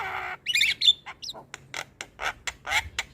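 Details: Javan myna singing as a lure for an unwilling bird: after a short noisy burst come two whistled chirps, then a string of evenly spaced rough chack notes.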